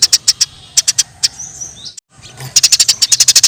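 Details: Eurasian tree sparrows in the wild during a fight, giving clipped high chirps at uneven spacing, a thin drawn-out squeal midway, then a brisk rapid series of chirps to close.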